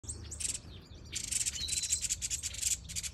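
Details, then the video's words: Several finches, including shaft-tailed finch, in an aviary chatter together in quick bursts of high, buzzy, overlapping chirps, with a brief thin whistle partway through and a faint low hum beneath. "Finches Bird Aviary | Bird Sounds"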